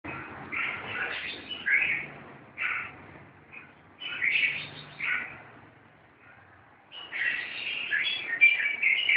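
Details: Red-whiskered bulbuls fighting: three bursts of harsh, chattering notes, each lasting one to two seconds and separated by short quiet gaps. The last burst is the loudest and busiest.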